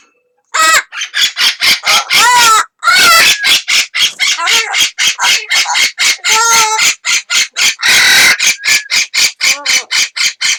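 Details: Pet Amazon parrot calling with a second parrot reacting: a long burst of rapid harsh squawks, several drawn-out screeches and whistled, wavering notes mixed in.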